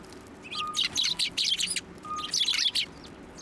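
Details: Sparrows at a Tenmangu shrine on 1 January 2024 hop onto a hand to be fed; two close bursts of excited, tightly packed chirps, each about a second long.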